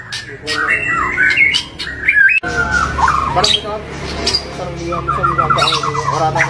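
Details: White-rumped shama song in a full 'tembakan' style with rough, showy variations: quick rising and falling whistles and chattering phrases, with an abrupt cut midway into a busier, rattling passage of stacked trills.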